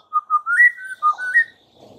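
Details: White-rumped shama lure song for provoking fighter birds: a short run of clear, mellow whistled notes stepping up and down, each held briefly, ending in faint hiss.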